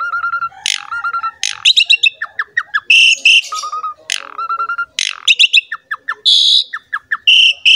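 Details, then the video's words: Jalak suren, the Asian pied starling, in full lure song: steady whistled notes alternate with buzzy bursts, sharp rising sweeps and clicking chatter, repeated without pause. "MASTERAN DAN PANCINGAN BURUNG JALAK SUREN GACOR JUARA"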